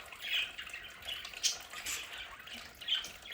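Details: Indoors, pet budgerigars give scattered squeaky chirps and short warbles, separate notes spaced through a soft background hiss.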